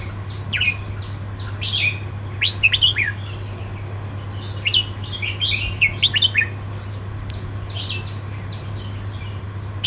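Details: Red-whiskered bulbul singing in the southern Thai counting-phrase style: six short warbled bursts, each a quick rising and falling cluster of whistles, separated by pauses of about a second, over a steady low electrical hum.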